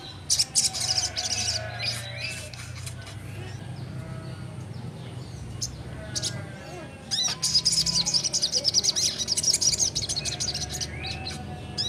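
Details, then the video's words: Young sogon singing hard in ngleper style, pouring out fast bright chirping phrases, a lull midway, then a long rapid chatter of high notes, with a low hum throughout. "Burung Sogon muda Gacorr ful ngleper..bikin Sogon bahan dan malas bunyi langsung nyaut.."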